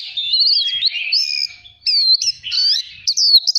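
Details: White-rumped shama, a caged bird, singing for voice training. Clear, loud whistled phrases glide and wobble upward, separated by brief pauses, and end in short sharp notes, with almost no background.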